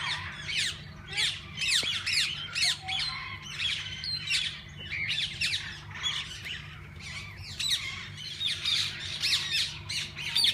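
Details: Many parakeets of different kinds in a walk-in aviary at a parrot zoo, where they can be fed by hand: a lively run of short, bright chattering bursts, roughly two per second, with a low hum underneath.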